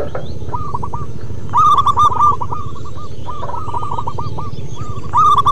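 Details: Several local zebra doves singing as a lure to spur other doves to sing: overlapping series of soft, hooked cooing notes, one close bird giving a louder rolling phrase twice, over a steady low rumble.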